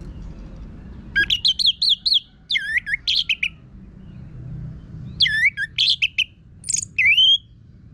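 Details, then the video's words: Orange-headed thrush in full, harsh-voiced song used as a lure to get other birds singing: bursts of rapid, rising-and-falling whistled and chattering phrases, high and buzzy, separated by short pauses over a low background hum. "Pancingan ANIS MERAH Gacor Suara Kasar Ini Membuat Burung Ikutan Ngeplong"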